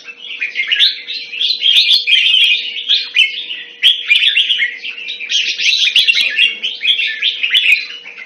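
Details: Caged red-whiskered bulbul kept Thai style in Singapore, recorded around February 2018, singing continuous rich, bubbling warbled phrases of quick rising and falling notes with barely any pause, over a faint steady low hum.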